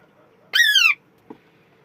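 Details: Alexandrine parakeet giving a single loud, harsh squawk lasting under half a second, with a rich harmonic stack sliding downward, followed by a faint short click against quiet background.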